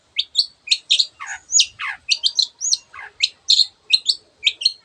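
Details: Long-tailed shrike in full varied song meant for training birds that are slow to sing: rapid high chirps mixed with deep down-slurred whistles, steady and clean throughout.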